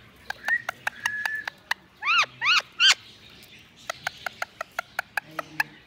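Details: Green Indian ringneck parakeet gives a brief whistle, then three harsh, strident calls, with sharp tapping clicks before and after.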